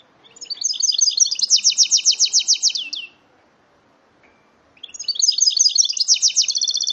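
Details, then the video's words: Hybrid goldfinch-canary cross singing two long runs of fast, evenly repeated high trilled notes, separated by about two seconds of near silence. "هجين حسون"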